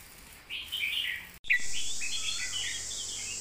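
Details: Red-whiskered bulbul delivering master song phrases: mellow whistled notes, a sudden break, then a run of rising and falling whistles over a steady high hiss.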